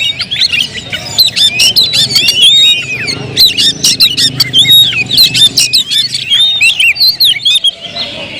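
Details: Oriental magpie-robin song: dense sequences of sharp ticking clicks and bright whistled twists repeated almost continuously, fading briefly near the end.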